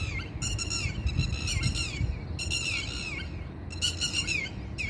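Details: Red-wattled lapwing parents nesting with chicks on a rooftop of a Dubai campus in spring fly in circles screaming loud, strident, ringing alarm cries about once a second at an approaching person, over steady low wind rumble.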